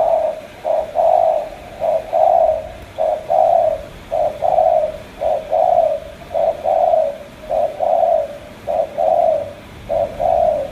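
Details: Spotted dove from Cà Mau giving a steady run of low paired coos, a brief lead note then a drawn-out hoarse coo, repeated evenly about once a second.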